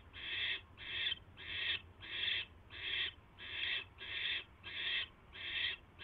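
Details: Barn owl at the nest on 22 January 2016, 10:22 PM, as a mouse is brought in: harsh, breathy hissing bursts, each about half a second, repeated steadily about every 0.7 seconds, nine in a row over a low background hum.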